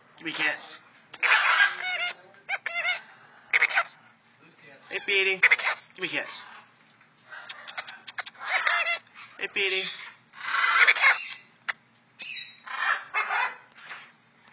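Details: Petey, a male white-eyed parakeet at an Arizona bird rescue, repeats a raspy, high-pitched phrase, "gimme a kiss", in short bursts, while a person coaxes him by speaking softly in between.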